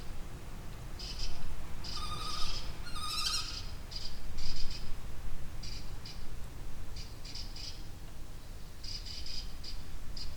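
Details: Kestrel calling in a remote slate quarry in Wales, recorded with a Zoom F3 and clip microphones on a drop rig: thin, high, sharp repeated notes in scattered short series over steady low wind rumble.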